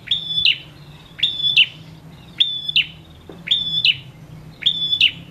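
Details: Male prinia in full voice, used to encourage quiet prinias to sing: five repeated phrases of click, level piercing whistle and buzzy snap, about one per second, over soft background hum.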